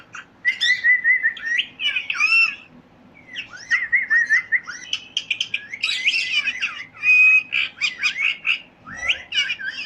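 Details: Parrot chirping continuously, trilled whistled phrases mixed with buzzy chatter and sharp clicks, nearly nonstop for ten seconds.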